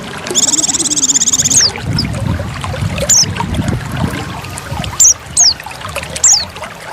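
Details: Female white-eye calls used as a lure to attract males, set against the sound of trickling water: a fast, high, buzzy trill lasting over a second, then four short, sharp, high chirps that slide downward, over a low rumbling background.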